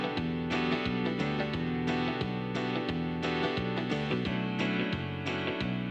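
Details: Background instrumental music with rhythmic plucked and keyboard notes plays throughout, and no animal voice is present.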